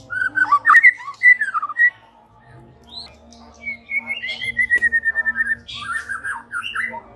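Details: White-rumped shama evening lure song: clear whistled phrases with rapid rising and falling slurred notes, pauses between bursts, a long level whistle followed by chattering notes.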